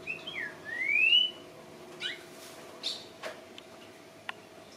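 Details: Greyish saltator, known locally as dichosofui, singing: a short phrase of clear slurred whistles, first dipping then rising into a long bright upward-sliding whistle, followed by faint scattered chips and clicks over a steady low hum.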